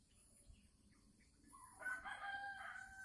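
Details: Captive Sumatran red junglefowl hen announcing she is about to lay eggs with the ngekek call, recorded December 2020. After a quiet start, a loud, rough, harmonic squawk rises and holds through the second half.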